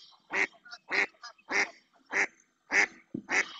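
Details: Loud repeated quacks from a female mallard calling insistently in the marsh of Doñana National Park, Spain; six harsh, evenly spaced quacks about every 0.6 seconds, with faint softer calls in between.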